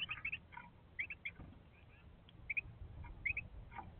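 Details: Carolina wren call recorded on 19 October 2021 at 16:38: short, sharp upslurred chirps in quick pairs, about every three-quarters of a second, with a low background rumble.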